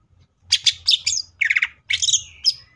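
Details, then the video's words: Greater green leafbird (cucak ijo) singing in the 'full tembakan' style: a burst of sharp, high squeaky chirps and short harsh notes in quick clusters, with brief pauses between groups. "CUCAK IJO FULL TEMBAKAN❗MATERI BANYAK MANA MUNGKIN IJO KALIAN TIDAK IKUT GACOR!"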